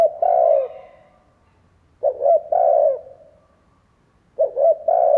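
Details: Spotted dove lure bird calling so other doves start cooing: repeated low, throaty phrases about two seconds apart, each with clipped opening notes running into a long descending coo.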